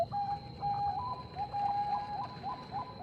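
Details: Bangkok-type zebra dove singing to provoke a rival's reply: faint, regularly repeated soft coos, some slightly rising, each under a second apart, set against a steady high electronic tone and low background hum.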